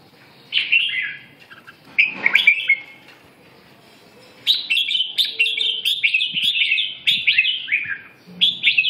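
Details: Red-whiskered bulbul singing lively chirping phrases. Two early bursts are followed by a long run of repeated, slightly rising and falling notes roughly every half second, with a few faint clicks in the background.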